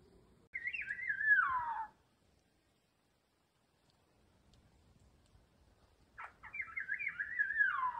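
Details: Maroon oriole (Oriolus traillii ardens) chick begging while being fed: two bursts of harsh, wavering, slurred notes sliding downward, separated by several seconds of near quiet.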